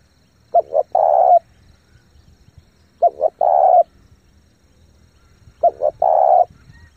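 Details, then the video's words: Spotted dove kept as a decoy, calling fast and forcefully to pull in wild doves, three even phrases about every two and a half seconds, each two short coos then a prolonged one. "chim cu gáy thúc gù tốc độ căng lửa kích mồi tập bổi cực mạnh"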